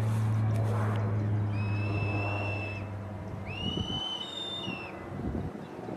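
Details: Black sparrowhawks, adults with 76-day-old juveniles during hunting lessons: two long, drawn-out whistled wails, each held level for over a second with a slight rise at the start, over steady low hum and rustling.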